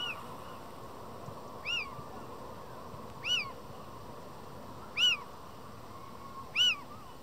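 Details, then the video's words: Little owl pair in the mating season, Madrid, February 2023, the male calling over and over as another owl replies from close by: four rising-then-falling mewed notes, spaced about one and a half seconds apart, against a faint continuous hiss. "Pareja de mochuelos en época de celo, maullan y casi copulan."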